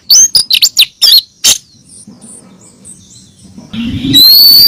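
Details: Female oriental magpie-robin calling the male, used as a lure: a rapid burst of sharp, high chirps and downslurred whistles in the first second and a half, then quiet, ending in a loud, thin, high whistled note.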